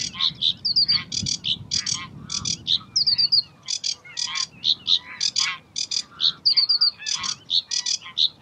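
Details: Sedge warbler at Uitkerkse Polder, Belgium, May 2016, singing a jumbled stream of scratchy chattering notes broken by brief bursts of rapid thin whistled triplets, loud and continuous.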